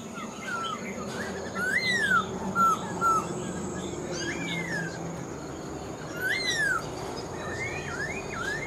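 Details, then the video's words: Caged Black-throated laughingthrush, an old bird caught in the wild and praised for its fine voice, singing loud rising-and-falling slurred whistles in separate phrases every second or two, with scratchy high notes between them. "Khướu bạc má mộc dở chim già rừng, hót tốt giọng hay"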